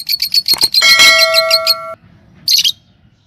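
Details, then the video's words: A pair of yellow Fischer's lovebirds sing and chirp: quick, shrill, high chirps at about four per second, with a steady bell-like electronic tone through the middle and a final scratchy burst. "Lovebird Singing & Chirping Sound"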